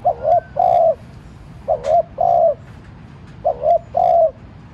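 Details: Spotted dove acting as a decoy, cooing lightly to set off wild doves. Three mellow low phrases roughly every 1.7 seconds, each a quick double coo followed by a longer drawn note, in a quiet setting.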